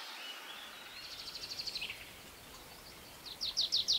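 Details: Tree pipit singing while perched on the ground, giving shorter strophes than in song flight: a faint run of evenly repeated high notes, then a louder, quicker burst of sharp high chips at the end, over steady background hiss.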